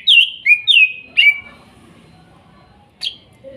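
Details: Young wild-sourced greater green leafbird from Kuningan, sung to coax a bird that has stopped singing: four clear, falling whistled notes in rapid series, then a short sharp chip after a pause.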